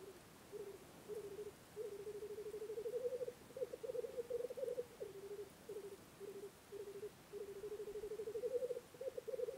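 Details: Black grouse lekking in spring in Russia: low bubbling, cooing rookoo phrases in rapid pulsed runs, rising slightly and broken by short gaps, carrying over a quiet rural background.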